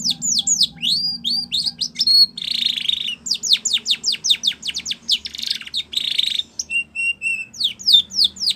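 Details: Spanish Timbrado canary training song, bright descending whistled sweeps alternating with dense buzzy trills and flat held tones, over a faint low hum.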